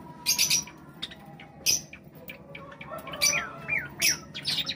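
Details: Java sparrows calling while eating. They give sharp chirps and clicky bursts, and a few short downslurred notes come near the end, over a steady faint hum.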